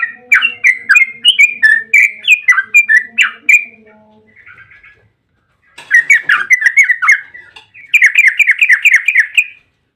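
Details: Yellow-vented bulbul song used as a lure to make other bulbuls sing: bubbly chattering phrases around mid pitch, a long run of rapid notes, a pause, then two more fast rippling bursts.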